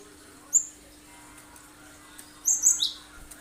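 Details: Cinereous tit with sharp song notes used to lure other birds into singing; a single high chip, a long gap, then a tight cluster of three piercing notes dropping slightly in pitch.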